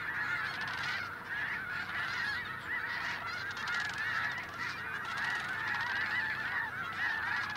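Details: Huge flocks of Snow Geese swirling down from the sky to land. A dense, continuous chorus of overlapping nasal honks from many birds at once, with no pause and a steady, loud wall of calls throughout.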